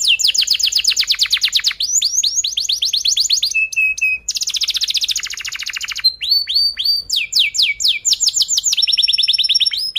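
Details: Energetic long canary song with tight rolls, used as a lure for young canaries learning to sing: sustained rapid trills of falling notes, shifting to swooping chirps, pure tones and fast rattling rolls with hardly a pause.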